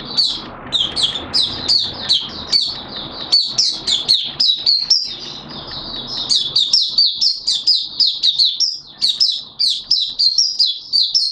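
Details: Mata Puteh, the Malaysian Oriental white-eye kept as a hobby songbird, singing on 21 June 2023: a long, lively torrent of high chirps and thin slurred whistles, steady and rapid, with some soft background noise early on.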